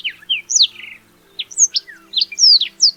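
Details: Black-throated Canary singing separate high notes, some sharply swept down, one a longer buzzy slur, with short gaps between phrases; a soft low hum lies beneath.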